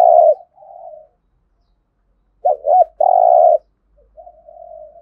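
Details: Spotted dove cooing in the thổ voice style, meant to stimulate other doves to coo: a low mellow phrase fades out, pauses, then two quick hooting notes lead into a long rolling coo and a quiet tail.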